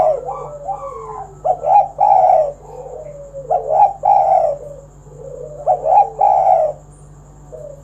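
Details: Spotted dove singing a kuk 1 style song, used to prompt other doves to sing: low husky cooing phrases of two quick notes and a long, falling final coo, repeated about every two seconds over a steady electrical hum.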